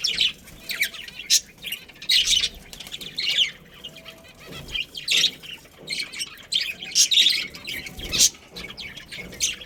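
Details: Chattering of a budgerigar colony with a breeding pair: continuous high, buzzy chirps and twittering warbles from several birds, rising and falling in loudness in irregular bursts.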